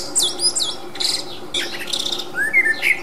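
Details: Common blackbird in the wild, captured through a 40x zoom, giving high scratchy twitters and chattering bursts, ending with two rising low fluty whistles; faint steady background noise.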